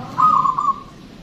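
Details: Local zebra dove from Indonesia singing loudly, its voice kept as a lure for wild birds: one short rolling coo, pulsed and slightly rising, then fading.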